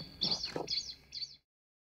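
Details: Rare wild Blood Pheasant (Ithaginis cruentus) in Bhutan giving three thin, high, squealing notes about half a second apart, with a faint low murmur under the first two.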